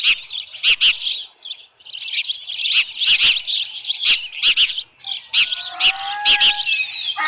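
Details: Osprey calling at the nest with a headless fish, Dunrovin Ranch, 10 June 2018, 6:41 PM. High shrill chirps mixed with clicking knocks, and near the end lower steady whistled tones join in.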